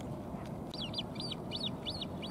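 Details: Great Crested Grebe's latest chick, still unable to catch fish itself, begs with loud, plaintive, high thin squeaks rising then falling, about four a second, as a parent feeds it fish; low rumble; 17 September 2024, Catherine Park's Great Pond, Pushkin, St Petersburg, Russia.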